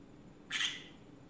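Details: Green-cheeked conure kept as a pet, ranting in the afternoon: one short, rough squawk that fades quickly against quiet room noise.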